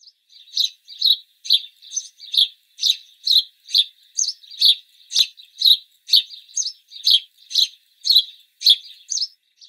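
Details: A house sparrow, also called the city sparrow, repeats bright, chirpy notes at a steady pace of about two per second, with no other sounds.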